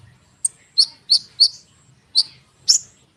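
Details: A konin bird sings a spaced series of bright, sharp chirps, about six notes with short pauses between them, in a dense lure song for sunbirds.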